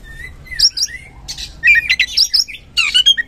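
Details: Oriental magpie-robin (kacer) used as a lure to provoke singing; low whistled slur followed by harsh, scratchy bursts of mixed notes in short uneven phrases.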